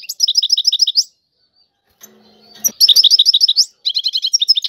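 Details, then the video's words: Tiwawati song from a European goldfinch: evenly repeated high, ringing notes in fast rows, broken by a short gap with a faint low hum and click, then more rapid chiming trills. "اعظم تغريد الحسون طيواواطي"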